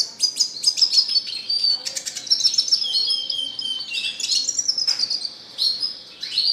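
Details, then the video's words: Red siskin 'gacor' song, continuous high twittering with rapid notes, buzzy trills and slurred descending whistles, barely pausing. "RED SISKIN CLASICC MEWAH GACOR 24 JAM"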